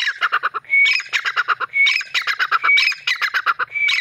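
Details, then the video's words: Black francolin, known locally as dakhni or Irani teetar, calling: loud, harsh runs of rapid grating notes, each run broken by a brief thin whistled note, the pattern repeating about once a second with no other sounds. "Dakni teetar irani teetar ki awaz"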